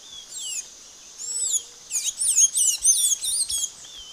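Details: Amazonian blue-gray tanager from northern Brazil giving a thin, squeaky song: a few high slurred whistles, then a quick run of sharp, twisting notes in close succession, over a steady hiss.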